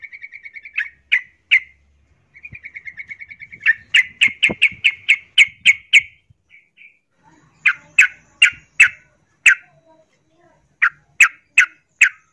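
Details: Breeding-condition female yellow-vented bulbul calling a male, with long bouts of rapid soft chirps alternating with series of loud, sharp, explosive notes repeated about twice a second, with pauses between bursts.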